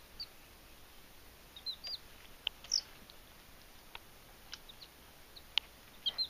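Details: Young Belgian d'Anvers chicks, first night in a new home, exploring a dish waterer. A handful of short, high, falling cheeps spaced a second or so apart, mixed with crisp tapping clicks against a quiet background hiss.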